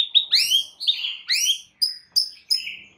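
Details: White-rumped shama song used as a lure to provoke other shamas into singing, from champion-bird material: bright whistled notes, several sliding downward, delivered in quick separate bursts about every half second, clean background.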